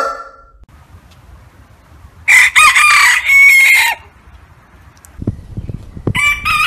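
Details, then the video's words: Piercing, very high, raspy crow from a rooster in three tight bursts over a low background hum, with scattered knocks afterwards and the start of another shrill crow at the end. "ROOSTER CROWING VIDEOS 🐓 ROOSTER SOUND"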